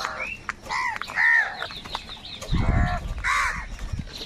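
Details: Many crows competing for food call with hoarse, arched caws, a few at a time, over a low rumbling background noise.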